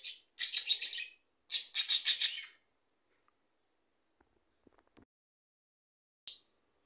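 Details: Budgerigar (Melopsittacus undulatus), song.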